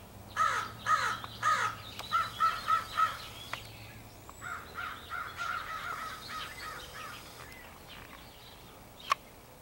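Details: Crows of an extended group, possibly picking mates, recorded 4 April 2015: a fast series of about eight harsh caws, then softer overlapping calls from the crowd and a sharp click near the end.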